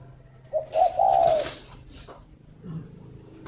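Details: Morning cooing of a caged spotted dove at a Vietnamese bird farm in Ba Vì, Hanoi: one stuttered-then-rolling coo, with a burst of rustling or flapping noise and a faint low sound afterwards.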